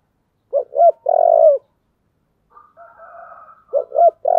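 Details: Fighting spotted dove with a "giọng thổ" voice coos: two short notes and a long burred low coo, a pause, faint softer murmuring coos, then the phrase starts again at the end.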